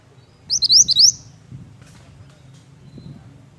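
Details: Pied bush chat singing vigorously: one quick phrase of four bright, upward-sweeping whistled notes lasting about half a second, over a faint low background hum.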